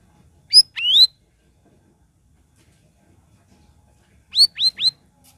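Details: Grey-bellied bulbul song, meant to get silent cage birds singing: a few clear, upward-sweeping whistled notes near the start, a pause, then a fast run of three bright rising notes over a quiet background.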